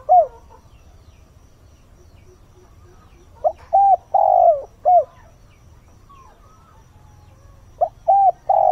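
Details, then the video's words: Dawn cooing of a decoy spotted dove meant to lure wild birds: a few seconds of near silence, then a four-note coo phrase, and the phrase starts again near the end. "Chim cu mồi // Tinh sương gáy gọi, kích thúc chim hoang dã"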